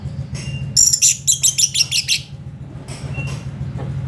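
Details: Orange-headed thrush in full gacor song, used to tutor other songbirds: a quick burst of about ten sharp, high chirped notes packed into a second and a half, then a few fainter notes, with a low steady hum behind.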